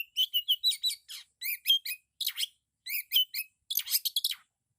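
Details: Kacer (Oriental magpie-robin) in loud 'isian'-rich song: brisk series of high, sharp chirps and short whistles in tight groups, ending with a scratchy, dense burst of notes.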